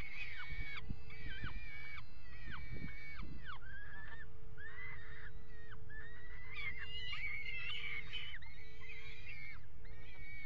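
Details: Peregrine falcons at a water-tower nest box, mating on its edge, 5 February 2018; series of harsh wailing and chattering calls, some notes flat then dropping, with a steady low hum and rumble beneath.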